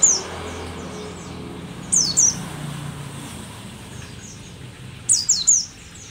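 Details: Rare Merapi-endemic pleci dakun, an aged mountain white-eye still singing actively, gives two short bursts of high, piercing, downslurred chirps, three seconds apart, against a quiet low hum.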